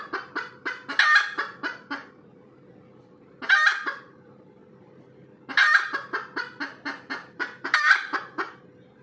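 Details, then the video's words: Red junglefowl cackling after egg laying: repeated runs of staccato clucks, each climbing into a long, raspy squawk, four bouts in nine seconds, with a constant low hum. "AYAM HUTAN SELEPAS BERTELUR"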